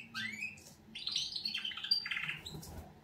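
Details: Canaries in a wake-up song, a rising whistled slur followed by buzzy rolled trills and chirps, with faint low room hum beneath.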